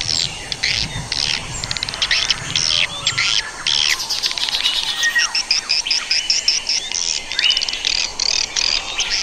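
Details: Swiftlet lure sound played to attract swiftlets: a dense, continuous stream of fast buzzy chirps and twitters, closely packed and steady in loudness throughout.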